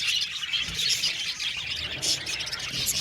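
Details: Budgerigar flock in an aviary, busy high-pitched twittering and short squeaky chirps layered over one another without a break.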